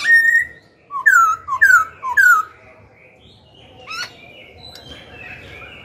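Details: Black-throated laughingthrush, a kept songbird, singing to provoke rival birds and train young birds. A held whistle is followed by three loud, clear downslurred whistles about half a second apart, then softer, fainter notes and background hiss.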